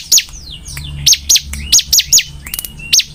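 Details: Sharp high notes from a vigorously singing bar-winged prinia, roughly three per second, with faint thin gliding whistles between them.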